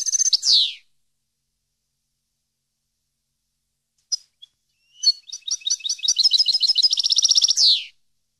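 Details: European goldfinch song for training captive birds: a buzzy falling note, a pause with a couple of thin chips, then a rapid twittering series rising into a fast trill and a final descending buzz.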